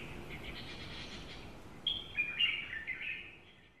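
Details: Female Asian koel in Tainan, Taiwan, 13 June 2018, gives a quick burst of five or six sharp, high, slightly falling notes over about a second, preceded by faint background hiss.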